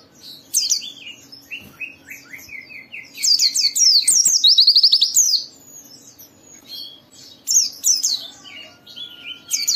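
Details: Excited gacor white-eye song for triggering other white-eyes: scattered high chirps, a descending series of buzzy notes, a long loud twittering outburst near the middle, then more sharp chirps toward the end.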